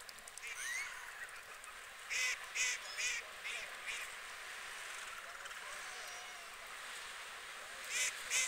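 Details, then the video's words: White geese, UK water birds: scattered soft calls at first, then a quick burst of four nasal honks, a quieter stretch with faint background calls, and two more honks at the close. "White Geese"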